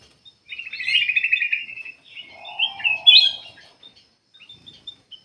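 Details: Black-capped bulbul singing vigorously, a recording meant to lure other birds into singing; a long buzzy rattling trill, then short whistled notes rising and falling, with a lower warbling phrase beneath.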